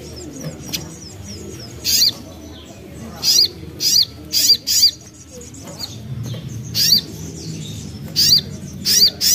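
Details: Young common iora, locally sogok ontong, sounding as a lure to draw song from other birds: high sharp chip notes in spaced clusters of two or three, with pauses between, above a steady low hum.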